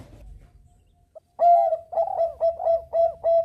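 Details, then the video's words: Bangkok zebra dove in full, persistent song meant to prompt other birds to sing. One faint note comes first, then loud, clear, slightly wavering coos in a quick rhythmic series of about seven phrases. "Perkutut bangkok gacor MEMANCING BUNYI Burung Lain IKUT BUNYI"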